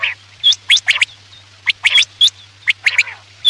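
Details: Quail call for night hunting: high, clear whistled notes interleaved with sharp rasping bursts, repeated in quick groups, over a faint low hum.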